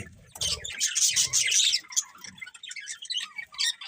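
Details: Budgerigars chatter and chirp in a dense stream of high, squeaky warbles, loudest early on, then thinning into scattered chirps, with soft low knocks.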